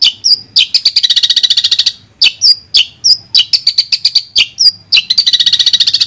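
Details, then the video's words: Long-tailed shrike, Madura type, in clear masteran song. Short whistled flicks alternate with long, fast, ringing chatters of bright high notes, delivered in loud, abrupt bursts. "Suara Jernih Masteran Burung Cendet Madura"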